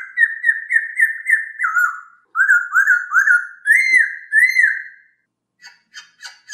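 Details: Masked laughingthrush song used as training audio for songbirds: a steady chain of about a dozen clear looping whistles, each rising then dropping, followed by a few soft clicking notes.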